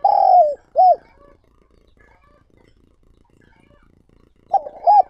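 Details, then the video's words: Decoy spotted dove calling to lure wild doves: a long falling coo and a short coo, a quiet pause, then the opening pair of short coos of a new phrase. "Chim Cu Gáy Mồi Gáy Gọi Thúc Kích Bổi Mới"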